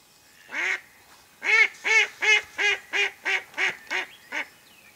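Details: A mallard hen, kept as a decoy to draw ducks in for hunting, utters a run of about ten harsh, nasal quacks, roughly three per second after an opening single quack, evenly spaced.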